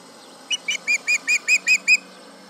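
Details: Osprey at the Charlo nest yelling at a tractor, July 31, 2019, 11am MDT: eight short, sharp whistled notes with bright harmonics, evenly spaced about a quarter second apart, against a quiet background.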